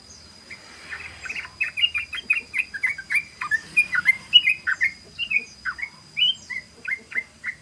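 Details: A sooty-headed bulbul's fast 'ropel' song, used as a lure: an even series of bright, slurred chirps roughly three to four per second, some rising, some dropping, over a faint constant high tone.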